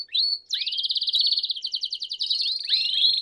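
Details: A group of Belgian canaries singing: a short whistled note, a brief pause, then a fast, even, rolling trill lasting over two seconds that loosens into slightly slower pulses with upward-curving notes.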